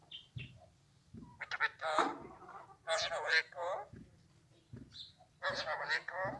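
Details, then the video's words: Alexandrine parakeet speaking in Urdu, Hindi or Arabic, its words coming in uneven clusters of nasal, harmonic syllables with short pauses between phrases. "Amazing super talking raw Alexandrine parrot Urdu / Hindi / Arabic"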